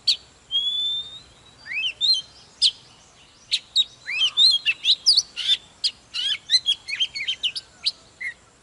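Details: White-rumped shama from the wild forest singing: opens with a long steady whistle, then a run of fast rising slurs, clicks and chattering notes growing denser toward the end.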